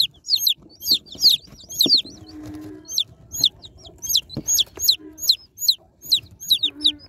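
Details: Newly unboxed baby chicks peep steadily, many quick falling chirps overlapping, with thuds and rustles of handling and a low hum beneath.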